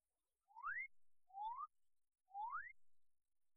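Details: Male Magnificent Riflebird in dense lowland forest gives three loud, clear, rising whistles, about one per second, that carry great distances, advertising his courtship display area to females and announcing presence to rival males; faint low thumps beneath.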